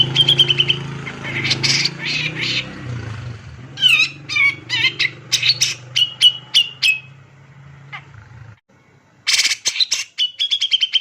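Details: Male Grey-cheeked Bulbul singing aggressively and densely. Harsh rasping phrases lead to twangy, rapidly falling notes and strings of sharp clicks and trills. A steady low droning hum runs through the first eight seconds, then it ends in crisp rapid ticks.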